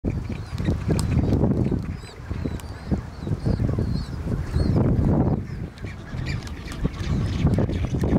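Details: Black-browed albatross courtship on Saunders Island, Falkland Islands, in 2019: low, harsh honking bursts in rapid pulses, rising and falling in loudness, with a rumble of wind-like noise beneath.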